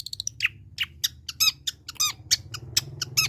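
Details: Long-tailed shrike uttering varied sharp notes, including quick clicks, downslurred squeaky chips and rasping bursts, in an irregular sequence over a steady low humming background.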